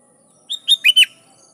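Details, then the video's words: Sooty-headed bulbul singing to provoke rivals so wild birds answer: one brief phrase of four bubbly whistled notes, the last two swooping and slurred, lasting under a second. "Suara Burung Kutilang Gacor Memanggil Lawan || Kutilang liar nyaut dan GACOR"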